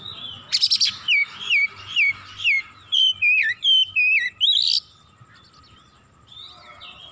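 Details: Oriental magpie-robin singing with rising excitement and unloading its full repertoire: a harsh buzzy burst, then about ten loud whistled notes, each sliding downward, repeated roughly twice a second, ending in a rasping note and soft chatter.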